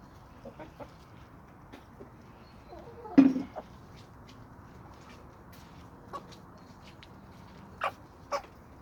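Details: Chicken from a homestead flock of hens and roosters on a small suburban homestead with sandy soils: quiet surroundings, then one sudden harsh squawk about a third of the way in, followed by sparse soft clucks and faint clicks later.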